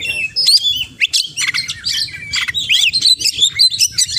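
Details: Oriental magpie-robin (kacer) in vigorous 'gacor' song full of 'isian' mimicked phrases: quick varied whistles, upslurred notes and sharp chirps in dense bursts, with a low rumbling hum underneath.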